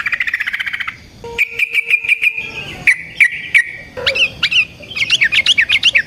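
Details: Singing yellow-vented bulbul used as a lure: a quick rolled trill, even repeated notes over a faint steady low whistle, then loud bouncing slurred phrases rising and falling rapidly.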